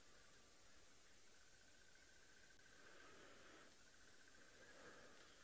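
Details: A distant crested barbet during a sunrise safari on 11 September 2022, around 06:00 local time, gives a long, sharp, drilling trill on one even pitch for a couple of seconds, then starts again, over steady background hiss.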